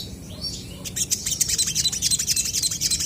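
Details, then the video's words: Actively singing crested jays calling back and forth: a fast, even series of sharp, high, metallic clicks, about four a second, making a rattling chatter over a quiet low hum. "SOGON GACOR BERSAHUTAN"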